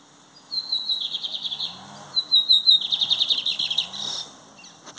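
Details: Loud classic-style song of a lined seedeater (bigodinho), used for teaching birds: two bursts of rapid, high, ringing notes, each about one and a half seconds long and separated by a brief pause, ending in a thin rising note.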